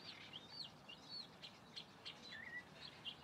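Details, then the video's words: Singing calandria, a mockingbird, giving a lively string of high slurred whistles that sweep up and down, mixed with short sharp chips and one lower rising-falling whistle near the end. "Calandria cantando"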